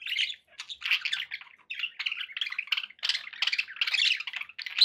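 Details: Several pet budgies chattering: continuous rapid warbling with squeaky, rasping notes in quick bursts, barely pausing across the whole stretch.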